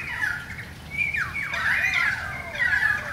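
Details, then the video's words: A currawong visiting during a rain shower gives loud, ringing, slurred whistles that swoop down then rise, run together over about three seconds against a soft background hiss. "Currawong song"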